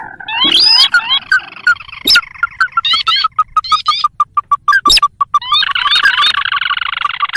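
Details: Sintar calls from a trapping lure recording of this rice-field and swamp bird; upslurred whistles open, then a long train of short steady notes speeding up before a dense chattering burst.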